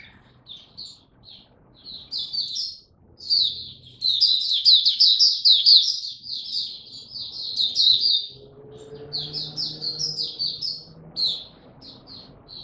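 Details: Caged Oriental white-eye on 26 November 2022 in song display: soft scattered chirps build into a loud, dense, high warbling run, then thin out to separate notes over a low hum.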